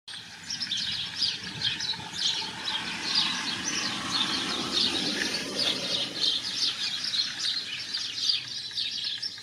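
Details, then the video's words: European goldfinch in the wild, giving busy high twittering song with chattering trills, over a rumbling low background noise. "الحسون الخلوي في البرية"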